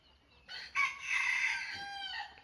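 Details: A chicken crowing while sunbathing in warm sunshine: one loud, harmonic crow, a short rising note followed by a long sustained, slightly falling phrase of about 1.5 seconds, over a quiet background.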